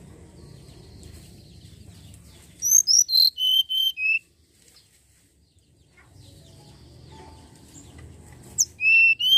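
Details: Common iora song used as a lure to start birds singing: a rapid series of high whistled notes descends in steps, then a second phrase begins after a quiet stretch with low background hum.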